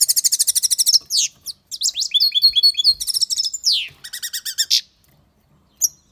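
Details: European goldfinch singing loudly: a rapid buzzy trill, then sweeping chirps, liquid twittering and a clipped rattling series, before a pause and a final short chirp.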